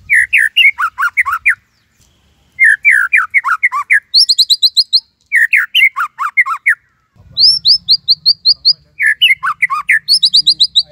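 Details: Energetic song of a white-rumped shama in the Cililin style, used as a tutor for other birds: repeated bursts of varied swooping notes alternating with fast high whistled rattles, separated by short silences.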